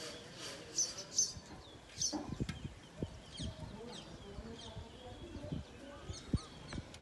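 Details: House sparrows, common garden visitors, give brief, bright chirps, scattered irregularly, over low knocks, thumps and a steady background hiss; possible clucking fowl nearby.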